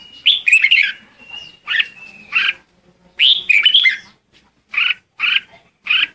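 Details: Red-whiskered bulbul singing as a lure to call the flock: two fluty warbled phrases joined by a thin held whistle, then four short chirps in quick, fairly even succession.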